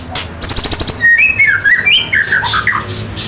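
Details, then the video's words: A lively magpie robin sings a burst of high rapid ticking notes, then a string of varied whistled phrases, some sliding downward, while people talk faintly nearby. "Suara Burung Murai gacor"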